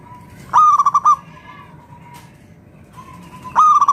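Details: Local zebra dove (perkutut lokal), song used to coax other doves into singing: two loud bursts of about six quick, clipped cooing notes, separated by a softer sustained coo from a second dove.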